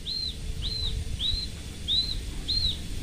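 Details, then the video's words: Local Horsfield's bushlark of the parva type, a caged bird singing loudly; five arched, high whistled notes repeated evenly about every half second over low background noise. "Branjangan Parva Gacor Volume Keras"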